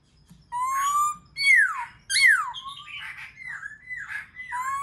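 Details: Song of a black-throated laughingthrush meant to get other birds singing: long rising whistles, then two sharply falling slurred notes, followed by softer wavering phrases with a faint hum beneath.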